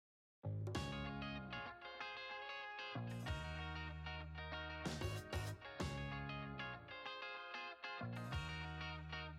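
Electric guitar music with distorted, ringing plucked chords that repeat in phrases over a low bass line. No animal voices can be heard.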